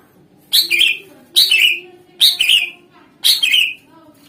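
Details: Greater green leafbird in full song, played as a lure to make other birds respond: four loud, bright whistled phrases, each sliding downward, repeated about once a second over a quiet hum.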